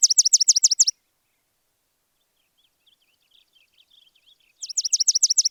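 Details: Sparrow chirping in two quick bursts of high, sharp, evenly spaced notes, each burst about a second long and separated by near silence with a few faint, scattered twitters.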